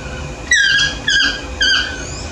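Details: Yellow-throated toucan in the morning gives three loud, drawn-out yelping calls, each starting sharply and sliding downward, spaced about half a second apart, with faint low background hum.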